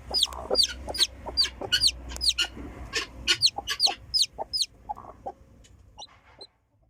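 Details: Freshly hatched chicken chick giving a run of shrill, descending peeps, roughly two to three per second for over four seconds, then falling nearly silent with a few faint chirps.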